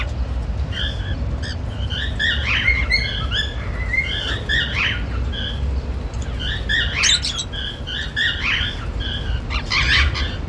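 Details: Male and female normal grey cockatiels making happy sounds, a busy run of chirps, short whistles and rasping squeaks that continues almost without a break for ten seconds, the last few notes sharp and loud, over low hum.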